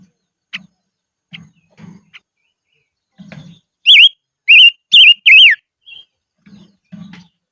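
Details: In the highlands, a silver-eared mesia used as a decoy gives one quick burst of four loud slurred whistles, rising then falling. Low tapping and knocking sounds come before and after the burst.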